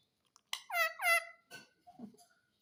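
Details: Talking parrot asking for roti, giving two clear speech-like harmonic syllables with falling pitch, followed by softer, fainter mumbled sounds indoors.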